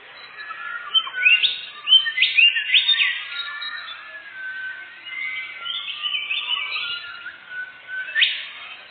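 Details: A canary sings as a lure for catching birds in the forest. Clusters of sharp rising whistles and trills come first, then softer twittering and a final upward sweep.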